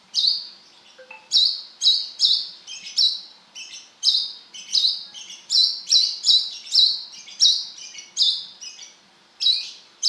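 A Brown-throated Sunbird gives a lively series of sharp, high, slightly buzzy chirps, roughly two a second with brief pauses. No other sounds are heard.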